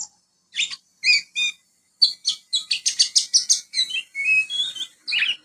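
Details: Young Oriental magpie-robin imitating a house sparrow: sharp separate chirps, then a quick series of about ten buzzy chirps, ending in short whistled slurs and a harsh note.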